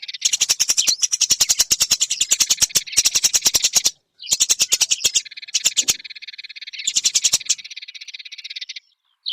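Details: Eurasian tree sparrow chatter used to tutor songbirds: loud bursts of rapid chirps separated by short gaps, then a longer, softer buzzy trill, ending in near silence.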